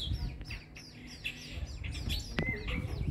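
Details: Persistent Jacobin cuckoo being fed by dark-capped bulbuls in Lower Sabie camp. Rapid high chirps and short downward-sliding squeaks follow one another quickly, with a low background hum.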